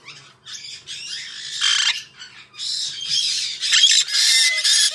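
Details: Harsh, scratchy squawks of a white-bellied parrot, uneven bursts coming about twice a second, growing louder and more insistent toward the end.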